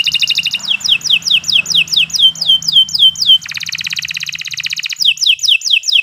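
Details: Canary in long, continuous master song for training: rapid series of repeated downslurred high notes, then a fast dry trill, then the slurred notes again, with a faint low hum behind.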